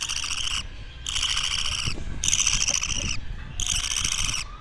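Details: Baby parakeet (budgerigar) two weeks old making four loud, grating, buzzy rasps, each about half a second to a second long, separated by brief pauses, with low room noise beneath.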